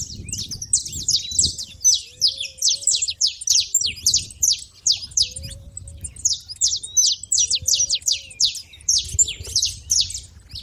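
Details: Saffron finches noisy at a feeder, high clipped chirps repeated almost three times per second in irregular clusters, with a few faint low curved tones in the background.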